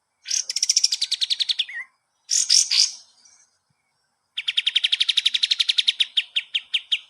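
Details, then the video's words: Master song of the kapas tembak, used to train cage birds. A fast trill of notes slides slightly downward and ends in a short whistle, then come buzzy high bursts and a long, rapid, evenly repeated chattering trill. "masteran burung kapas tembak"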